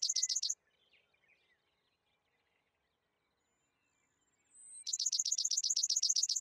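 Worthen's sparrow: a high, dry rapid trill of evenly spaced chips, a brief burst, then a quiet gap before a longer run.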